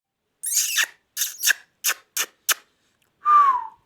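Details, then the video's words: Pet ring-necked parakeet talking indoors: a run of six short harsh, speech-like syllables, then a pause and one clear downward-sliding whistle. "ringneck talking"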